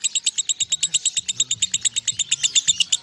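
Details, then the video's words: Lovebird in ngekek style, a long unbroken singing bout said to last over a minute: rapid, even train of sharp high chattering notes, roughly eight per second, with faint low tones underneath. "LOVEBIRD NGEKEK 1 MENIT LEBIH"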